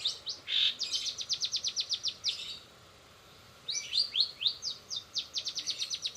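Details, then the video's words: Long-tailed shrike doing its speedy 'rol spid' delivery with greja BR, greja restu, sogon and kenari fill-ins: a quick series of sharp chips, a two-second silence, then another rapid run. "cendet rol spid"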